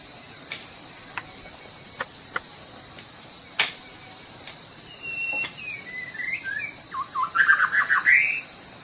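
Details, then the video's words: Sumatran white-rumped shama in lively song: scattered clicks over a steady high drone, then soft whistled notes that swell into a loud, rapid run of chattering, up-and-down phrases near the end. "murai batu sumatra. _suara asli alam gacor"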